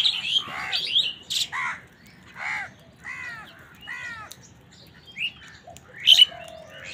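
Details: Crow calling while crows fight wild birds for food: a run of hoarse, arched caws, each under half a second, spaced about a second apart, with sharp high chirps from smaller birds before and after.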